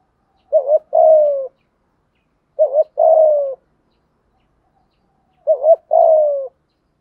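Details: Lure spotted dove in thúc gù cooing. Three evenly spaced low phrases, each a short wavering two-part note, then a sustained hollow coo that slides downward, roughly every two and a half seconds.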